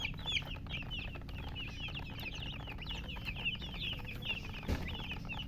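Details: Baby chicken chicks peeping continuously, a dense run of high, short chirps overlapping one another, with a low steady background hum and a single soft thump near the end.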